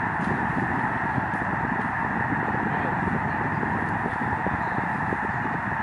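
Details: Migrating flock of Canadian Snow Geese on Lake Springfield, Springfield, Illinois, heard from the shore at Lincoln Memorial Garden; a dense, unbroken roar of overlapping honking calls with no pauses throughout.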